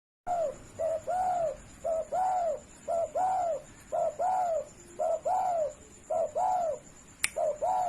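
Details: Tame, uncaged spotted dove calling persistently, kept as a master recording for training birds: about eight paired coos, each a short low note then a longer arched one, repeated roughly once a second in a small room.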